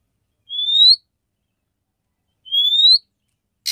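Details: A female oriental magpie-robin calling a male to provoke mating gives two clear upslurred whistles two seconds apart, followed by the start of a harsh rasp.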